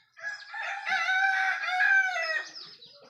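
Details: Rooster crowing at dawn as a sign that morning has come: one long, loud, harmonically rich crow lasting about two seconds, steady and slightly wavering, then fading, with faint small-bird chirps behind.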